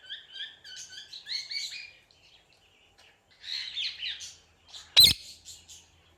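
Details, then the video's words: Parrot giving bright chirping calls: a rapid run of short, repeated high notes, a pause, then a burst of warbled squeaky notes, ending with a sharp click and a few softer chirps. "Super Cute Parrot Sounds"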